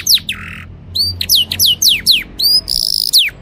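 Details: Canary singing to tutor young birds and prepare hens for breeding: a buzzy note, then bright descending whistled slurs repeated several times, with a short rattling trill near the end.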